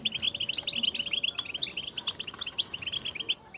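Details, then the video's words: A group of European goldfinches produces excited mating and readiness calls used to stimulate males to sing. Fast, liquid, tinkling notes stream in a steady chatter, with a faint low steady hum beneath. "بتبتة جماعية للحسون رهيبة وفتاكة لتحفيز الحسون على التغريد والهيجان"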